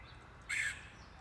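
A single harsh, raspy Red-headed Woodpecker call, about a quarter-second long, with a buzzy tone over quiet background hiss.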